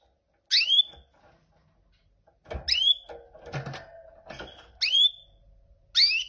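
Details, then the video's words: Goldfinch mule utters sharp, high, down-slurred call notes, one roughly every one to two seconds, over faint knocking and low room noise. "Mule Gold Finch Singing"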